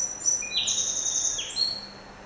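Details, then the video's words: Song sparrow singing as a small visitor at a window: a clear phrase of high whistled notes, some held, some sliding downward, crowded together for about a second and a half before fading, with a low hum beneath. "bruant chanteur - Melospiza melodia - Singing Sparrow"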